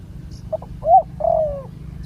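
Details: Spotted dove in the wild, with a big, deep cooing voice, recorded while being lured with a ground decoy. A single clear phrase: two tiny notes, a rising swelling coo, then a long, gently falling coo.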